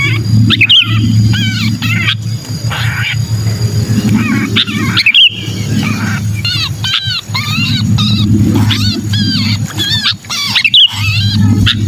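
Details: Distress calls of a trapped sooty-headed bulbul, played to lure reluctant bulbuls: rough, wavering harmonic squeals in quick overlapping series, a brief quieter gap in between, under a persistent low hum and clicking bursts.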